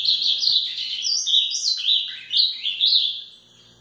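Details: A captive male Ultramarine Grosbeak (Cyanocompsa brissonii), agitated and being trained outdoors in the bush to open its song, sings a quick, warbled phrase of sweet whistled notes that dip and rise.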